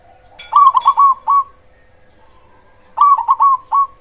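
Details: Zebra dove of the cemani type, a loud-voiced, actively singing bird used as a lure to provoke other zebra doves into answering, gives two bursts of rapid, bubbling coos near one pitch, separated by a pause, over a steady low hum.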